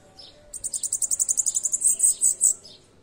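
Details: Bananaquit singing the Pernalonga song style: a thin, very high, rapid series of about a dozen even ticking notes, then four louder, drawn-out, slurred high notes ending abruptly after two seconds; background otherwise quiet.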